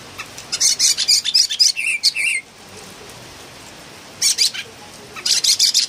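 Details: Pulanga, the Philippine bulbul, in loud song: a fast string of harsh, high chirping notes for about two seconds, a pause, then further quick bursts of bright chattering.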